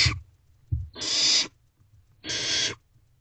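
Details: Young barn owls inside a nest box at night, 21 May 2023, one tearing at a rodent with siblings nearby; two long rasping hisses roughly a second apart, preceded by a short thud.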